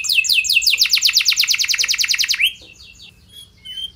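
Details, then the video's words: Lure song of a canary meant to get other canaries responding: a fast, even series of bright descending notes for over two seconds, ending in a rising slur, then quiet faint twitters. "Burung Kenari Kondisi Apa Saja Bisa langsung Respon Dengan Pancingan Kenari Gacor Satu Ini"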